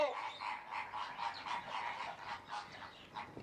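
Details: Crested myna (Acridotheres cristatellus) calling: harsh, grating, croak-like notes in a rapid run of about four per second, mid-pitched and scratchy, with faint background noise.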